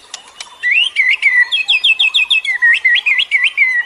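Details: Birdsong for luring other birds: after a few sharp clicks, a rhythmic string of about a dozen clear whistled notes, each swooping up and down, repeated roughly four times a second.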